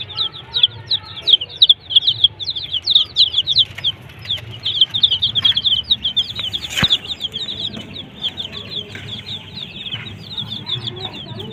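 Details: Desi chicks kept with a hen, chirping constantly: a dense chorus of high, rapid peeping notes with scattered soft thumps and faint low rumble beneath.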